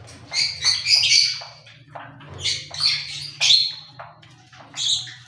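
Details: Busy cockatiel chatter: repeated harsh, buzzy squawks and shorter chirps at irregular intervals, several birds seemingly overlapping, over a faint low hum.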